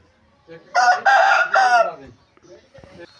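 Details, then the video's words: Crowing Aseel rooster: a strong, hoarse call in three connected bursts over about a second and a half, then quiet with faint chirps. "Aseel murgay ki azaan | اصیل مرغا کی اذان"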